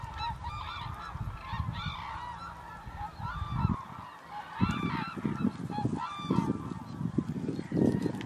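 A flock of hooded cranes gives overlapping loud, trumpeting calls in ragged bursts, with low wind rumble underneath.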